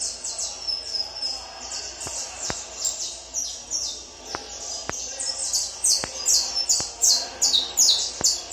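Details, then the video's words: Peruvian saffron finch singing during tournament training: a fast series of high, sharp chirps and descending slurred notes that grows denser and louder, with occasional sharp clicks in the background. "manejo para torneio de canário da terra peruano"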